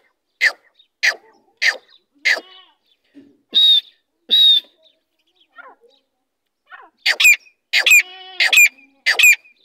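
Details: Female grey francolin of large size: a series of sharp, clicky harsh notes, two clear whistled notes, a pause with faint ticks, then rapid rasping notes mixed with a buzzy trill.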